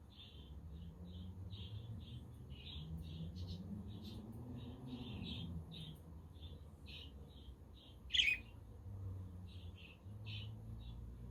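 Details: Budgerigars chirping steadily on a windy, sunny day, a quaker and a conure audible in the background; a long series of short soft chirps with one sharp squawk, over low wind noise.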